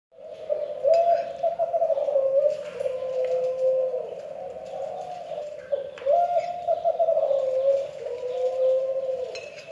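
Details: Spotted dove from Kelantan giving an unusual call: a long, low, continuous warbling coo that wavers and bends in pitch, swelling twice over ten seconds with brief breaks.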